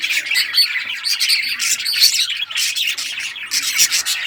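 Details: Rare-coloured budgies playing with toys, recorded June 18, 2023; rapid, dense chirping and scratchy warbles from several birds, pulsing in short bursts.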